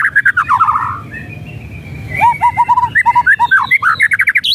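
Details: White-rumped shama song used as a provocation for an idle bird: clear whistled phrases, including a run of five or six similar low whistles, then quickening notes climbing higher to a final high whistle.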